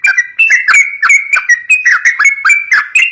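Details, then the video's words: A yellow-vented bulbul, used as a lure for young birds, pours out quick, clear whistled notes, each sliding downward then up, in an unbroken, fast rhythm. "COCOK BUAT PANCING BURUNG TRUCUK MUDA"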